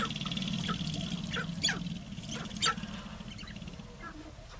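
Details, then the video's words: Two sharp-tailed grouse in a confrontation over space on their mating lek give sharp clucks and clicking notes in uneven bursts about once a second, over a low wind rumble and a steady high hiss. "Sharp tailed Grouse confrontation"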